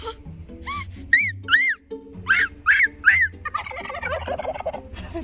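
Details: Turkeys keep gobbling while a Jindo dog imitates them. Repeated arched, whistle-like notes come in pairs, then a rapid rattling gobble breaks into a dense bubbling chorus near the end. A low hum continues throughout.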